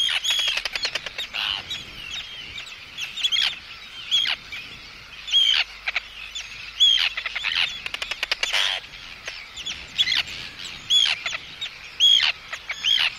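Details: Arctic tern close-up at an intruder, a long series of harsh grating screams and clicking rattles, steady and insistent throughout.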